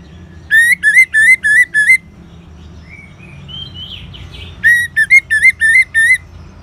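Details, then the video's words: Orange-headed thrush singing ngeban style as a lure for caged birds: two runs of six clear, upslurred whistled notes, separated by a pause with soft warbling from the background. "Suara Ngeban Untuk Pancingan ANIS MERAH Jitu Membuat Burung Gacor"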